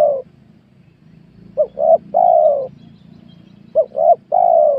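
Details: Spotted dove heard during luring of wild birds in a newly worked small oil palm plot. Two phrases of two clipped coos and a long, level coo, with a low background hum throughout.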